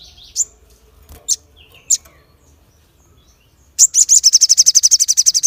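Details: Crested jay with a sharp call used to provoke other birds: scattered high chirps and a short descending whistle, followed by a long fast series of high, evenly repeated notes.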